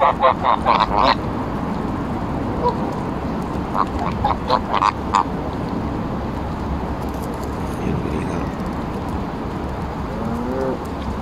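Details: Embden geese petted and fed at Longton Park, Stoke on Trent, in July 2022; a burst of loud quick honks opens, scattered honks follow, then quieter background hum with faint distant calls.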